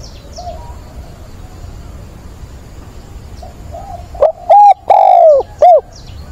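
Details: Decoy spotted dove kept as a caller, recorded on 17/9 cooing to find a mate in a mature 'bổi' voice: after quiet background, a loud phrase of short and long mellow coos, the long middle note sliding downward.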